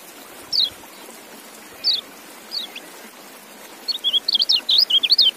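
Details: Kept white-eye, fed apple, gives three spaced, slurred high chirps, then breaks into a rapid tumbling series of thin, twisting whistled notes that runs to the end, with faint background hiss.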